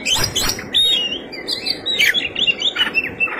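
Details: Oriental magpie-robin singing a fighting song with rich fill-in phrases: clear whistled slurs, rising and falling, mixed with sharp chips and a scratchy burst, fairly continuous.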